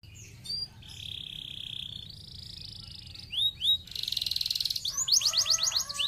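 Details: Canary song meant to stimulate other canaries to sing: a held whistled tone and a buzzy steady note, then a few sharp swooping notes and a rapid roll, ending in quick descending sweeps.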